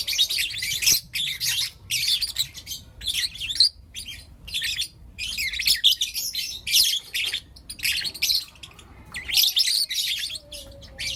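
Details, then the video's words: Lutino lovebirds, four young birds, in the morning: dense bursts of harsh, high chirps and twitters, each burst lasting about half a second to a second, coming in quick succession with brief silent gaps, indoors. "Lutino LoveBird Chirping Sounds - four Cute LoveBird Kids"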